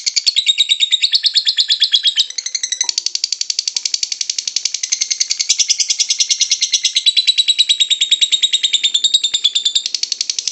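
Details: Long ngekek chatter by a lovebird, used to get other lovebirds to sing: rapid, ratchet-like high notes pouring out continuously, the tone shifting slightly partway through.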